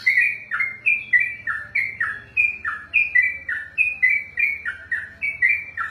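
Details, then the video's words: Yellow-vented bulbul (trucukan) pouring out long ropelan song, rolling sequence of clear whistles stepping down and up in even beats, about three per second, over a soft low hum. "ROPELAN BURUNG TRUCUKAN TERPANJANG DALAM SEJARAH"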